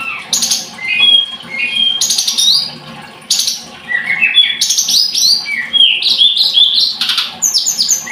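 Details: Energetic, high-pitched Scarlet-headed flowerpecker song: loud trilled bursts recur every second or so, interleaved with falling whistled notes and fast twittering runs.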